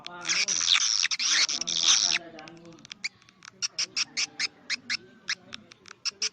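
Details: Lure sound for swiftlet houses in the 'karindanga' style: a burst of harsh, high, buzzy chatter, then a long run of brief, bright chirps repeated about every third of a second.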